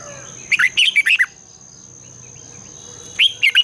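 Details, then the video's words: Red-whiskered bulbul morning song for training birds to sing: a rapid warbled phrase of about six notes, a two-second gap, then another quick run of notes; steady high whine in the background. "Luyện chào mào hót sáng, Giọng kép xoắn dài -THÚC BỔI MAU HÓT, luyện chào mào hót sáng căng lửa"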